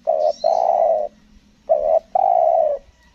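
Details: Spotted dove on Lombok, caught up close while being lured, gives two cooing phrases, each a short note then a longer, slightly falling coo, over a low steady hum.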